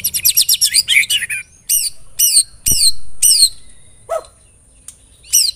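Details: White-rumped shama song used as a lure to set other shamas singing: a quick burst of high chattering notes, then loud, separate down-slurred whistles spaced about half a second apart, with one lower buzzy note and brief quiet gaps.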